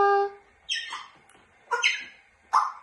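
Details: Pet grey parrot chattering while perched up high: a steady whistled note, then three separate bursts of speech-like vocal sounds with sliding, voice-like tones, each separated by short pauses.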